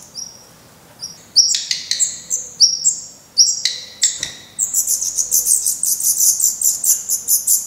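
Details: Black redstart nestlings in a nest in Portugal, 16 May 2020, eyes open, fed worms, spiders and a grasshopper; camera close to the nest. High thin whistled notes, then a burst of rapid overlapping shrill chirps from several chicks.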